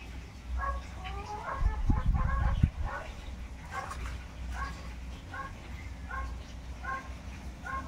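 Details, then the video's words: Tinamou chicks calling: short, soft, mid-pitched peeps with stacked overtones, repeated about four times a second in an uneven series, with a burst of low thumping and handling noise early on. "filhotes de inhambu Preta, Sururina e Inhambu preta."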